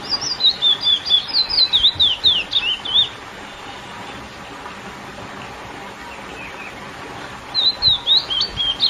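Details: Lesser seed finch (curió, Sporophila angolensis) in classic song for arousing females: a loud three-second string of quick looping whistles, a pause, then a second phrase of similar sweet, undulating notes begins.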